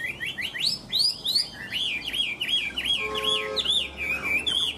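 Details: Machine-like song of a Chinese hwamei in Vietnam: varied whistled phrases give way to a rapid chain of repeated looping notes, delivered without pause.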